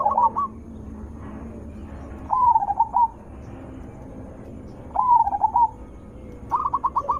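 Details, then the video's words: Zebra dove, a loud melodious lure call for other zebra doves. Rolling trilled phrases with clipped notes come roughly every two to three seconds, four phrases in all, over a faint steady hum. "Suara Besar Merdu ampuh untuk pancingan burung perkutut"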